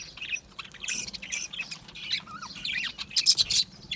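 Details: A flock of aviary budgerigars chirps and warbles busily, high scratchy notes overlapping, with a short wavering whistle standing out midway.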